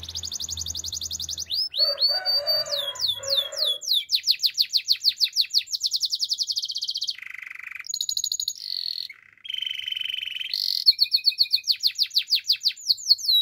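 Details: Domestic canary song for training: fast repeated rising whistled trills at varied speeds, rolling rattles, a low buzzy passage early, then shifting tours of sweeping notes and pure tones, clear and continuous.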